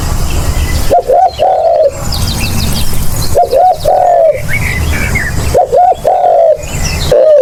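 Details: Repeated low cooing of a spotted dove meant to lure birds: three complete phrases of double short notes and a long falling coo, plus the start of a fourth, with faint bird chatter.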